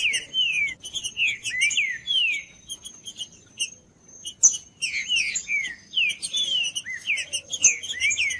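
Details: Green-winged saltator kept by breeders, its song played to heat up a quiet trinca-ferro: rapid strings of descending whistled slurs in phrases, a short pause midway, then more rich whistles, with a faint steady high tone behind.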